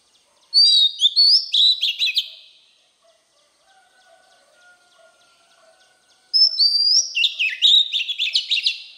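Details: Oriental magpie-robin giving wild-type song to excite newly caught birds: a phrase of loud whistles and rapid chirps, a pause with faint low hum, then a second dense, varied phrase.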